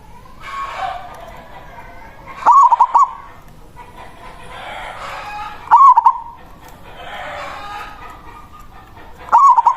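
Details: Local zebra dove giving its loud manggung song, used as a lure to call a rival. Three loud stuttering coo phrases of about three quick pulses each, roughly every three and a half seconds, with a steady hissing background between phrases.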